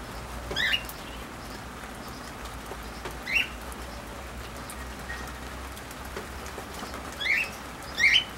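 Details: Cockatiels in the rain give four short, bright chirping calls at uneven intervals, two close together at the end, over a steady hiss of rain.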